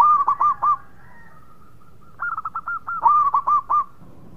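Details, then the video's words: Actively singing local perkutut zebra dove giving a phrase of four hooked coos, a soft drawn-out note, then a longer run of rapid clipped notes building to loud hooked coos. "Perkutut Lokal Gacor Suara Mewah"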